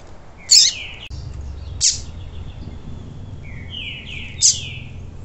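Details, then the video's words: Double-collared seedeater singing in the tui tui style, used to rouse cold birds after moult: sharp high bursts alternate with phrases of buzzy, slurred whistled notes sweeping down and up, with a low hum behind. "ESQUENTAR COLEIRO FRIO POS MUDA"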